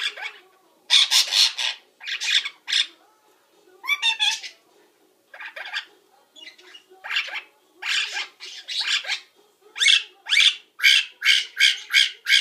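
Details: Captive parrot at nap time imitating linnies, budgies and household sounds: a jumble of scratchy chatter, squawks and short buzzy bursts, ending in a rapid series of harsh repeated notes.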